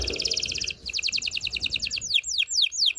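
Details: Canary song to excite mates, rapid high pulsed trill, then a slower run of sharp notes and steep descending sweeps.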